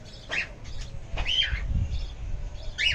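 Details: On an evening amid greenery, lovebirds give a few shrill, squeaky chirps, some sliding up and down in pitch. Soft low rustling continues beneath them.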